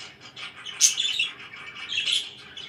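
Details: Morning budgerigar chirping in a room: a short burst of squeaky warbled chatter with one sharp high squawk.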